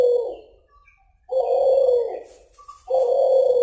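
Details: A suhu or kulhu pigeon calling loudly: deep, buzzy, sustained coos about a second long, repeated after short gaps, with faint thin whistles from other birds in the background.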